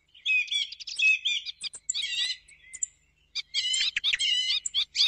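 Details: Thrush song played in the morning to attract thrushes for hunting: rhythmic stacked chirping phrases, a thin trailing note, a quiet pause, then a renewed run of rapid repeated notes.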